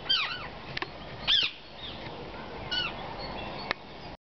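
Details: A group of wild rose-ringed parakeets gathered at a porch, visiting an adopted chick that fell from their nest, gives harsh, rising-and-falling screechy calls in short bursts every second or so, with faint background chatter.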